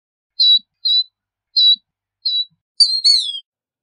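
Killdeer giving four shrill, high notes spaced roughly every half second to second, then a longer, rolling trilled phrase; no other sounds.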